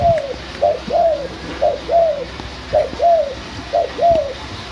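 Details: Six-month-old white backspot spotted dove, tame and captive-bred in Semarang, Indonesia, calling in kuk 1 nyandung 2 style; four steady cooing phrases, each a clipped note then a longer rounded falling coo, roughly one phrase per second.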